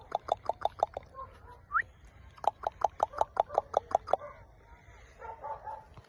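An Indian ringneck parrot gives two rapid bursts of short, clipped mid-pitched chirps, with a quick rising squeak between them and softer chatter at the end.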